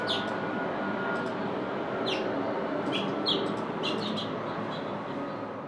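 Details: Adult male house finch in Elkridge, Maryland, on 9 April 2024: short, bright chirps at an uneven pace, about ten in six seconds, over a steady roar of traffic.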